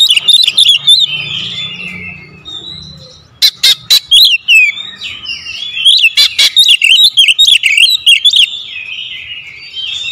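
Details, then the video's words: A magpie-robin sings a rapid lure song of the 'tembakan rapat' kind: busy whistled chatter, a short lull, then a long run of loud, sharp, closely spaced notes and twisting whistles. "PANCINGAN KACER SUPER POWER TEMBAKAN RAPAT"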